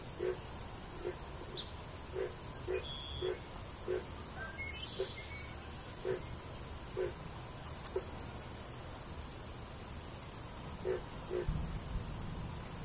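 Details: Purple Gallinule chick giving short, low clucking notes in quick series, about two per second with pauses, over a steady high insect whine and a few thin chirps.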